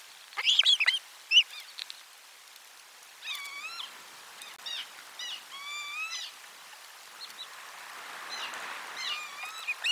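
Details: Osprey at the nest on 12 July 2022 with a lunchtime fish delivery: a burst of loud sharp chirps, then softer, drawn-out whistled notes repeated at intervals over a rising hiss.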